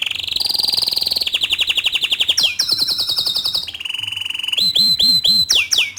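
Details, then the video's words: Bottle-green canary, loud nonstop tutor song for young and untrained canaries: fast high trills, a drop to a lower rattling trill, then bright piercing whistled slurs. "Kicau Kenari Hijau Botol Gacor Dor Cocok Untuk Masteran Kenari Paud dan Bahan"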